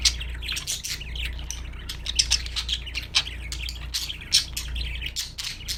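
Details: Budgerigars chirping in an almost continuous flow of rapid scratchy ticks and thin squeaks, with a low electrical hum beneath.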